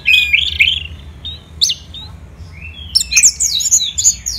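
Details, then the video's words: Orange-headed thrush kept as a songbird in Indonesia, singing vigorously: a warbled phrase, a pause, then a rapid string of sharp whistled notes and twittering slurs at high pitch, with steady low background hum. "ANIS MERAH Gacor dan Teleran Suaranya"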